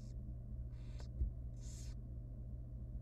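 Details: Young wild barn owl baby at feeding time in a nest box: three short hoarse hissing bursts with a single soft knock, steady low hum throughout.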